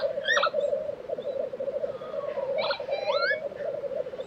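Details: Black grouse lekking in Tiveden, Sweden, during April 2023: an unbroken low bubbling chorus, joined by a few loud rising calls and slurred whistles from other birds.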